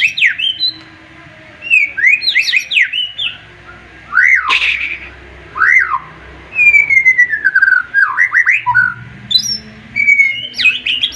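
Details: White-rumped shama in full, sharp-voiced song, said to make rival birds answer and sing too, pouring out loud, rich whistled phrases with sharp upslurred notes, slurs and rapid chatters in bursts every second or two.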